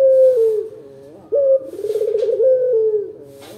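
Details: Powerful coo of a local puter dove, played as a lure to make other birds answer: a steady low note, a sharp upward break, then a pulsing, vibrato-laden coo settling lower.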